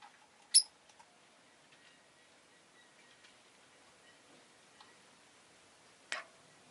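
Two sharp, shrill chirps from a rosy-faced lovebird, one near the start and one about five seconds later, with faint ticking and quiet room sound between.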